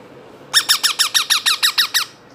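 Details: Two hand-fed baby parrots, only two months old, call in a fast burst of about ten harsh, rasping squawks, each rising then falling, evenly spaced over one and a half seconds, indoors in a quiet small room.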